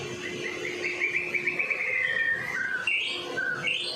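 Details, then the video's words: Medan white-rumped shama singing to lure other shamas, fairly soft: a rapid rippling trill sliding lower, then short rising whistles, with a low steady hum in the background. "murai batu Medan. gacor door . cocok buat pancingan burung murai batu lain nya."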